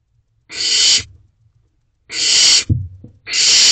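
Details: Evening in a nest box, 5 July 2023: a barn owl owlet that is gulping down a whole rabbit. It makes three loud, rasping hiss-screeches about 1.5 seconds apart, with soft low thumps between the second and third.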